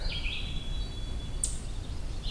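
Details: On a hike to Hector Falls, a Downy Woodpecker gives its descending call, not a song: a high squeaky call falling in pitch, with one sharp note in between, over a steady low rumble of wind.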